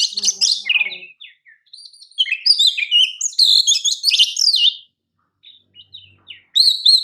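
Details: Oriental magpie-robin song meant as a training master: dense bursts of chattering, scratchy and whistled notes in fast varied sequences, a gap of near silence, then a renewed bright whistled phrase.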